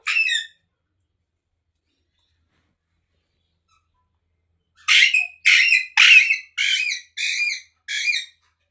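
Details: Ringneck parrot, a dancing pet talking bird, uttering one harsh screech, then after a long silence a fast run of seven loud raspy squawks, roughly one every half second.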